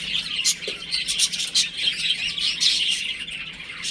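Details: Home-kept baby chicks at play, peeping constantly in a crowded chorus of piercing little chirps, the volume swelling and easing in brief waves.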